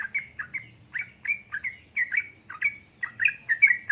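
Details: Yellow-vented bulbul, female calling the male, used to stimulate lazy birds to sing: short bubbly chirps given in pairs and small clusters about every quarter to half second, steady throughout.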